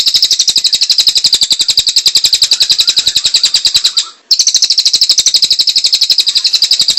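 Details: Kingfisher giving a long call, kept as a master recording for training birds: a loud, sharp, high rattle of rapid repeated notes, broken once by a brief silence before resuming at the same pace.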